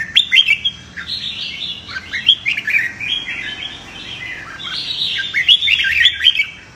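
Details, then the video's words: Red-whiskered bulbul singing its fighting song for training, a near-continuous stream of lively whistled and chirping notes that rise and fall quickly, growing denser toward the end. "Chào Mào Hót Đấu - Luyện Chào Mào Đấu Lên Lửa - Kích Bổi Sổ Bọng Hót Đấu,suara burung merbah jambul"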